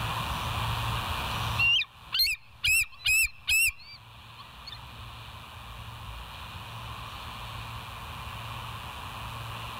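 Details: Bald eagle recorded by a live cam at West End on the morning of 30 August 2023, 07:04; a quick burst of four or five sharp, high chittering notes follows a brief clatter, then faint hum continues.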